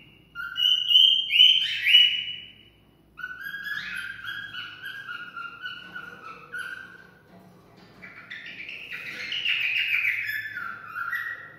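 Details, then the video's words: Cockatiel whistling a song to encourage mating: stepped whistled notes that climb and fall, with quieter warbling passages in between and a louder sliding phrase near the end. "Cocktail stimulating sounds for mating"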